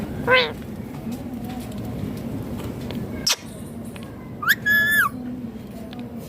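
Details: Talking Indian ringneck parakeet in green plumage: a brief rising squawk, a pause with a click, then a rising note leading into a sustained, harmonic, word-like phrase.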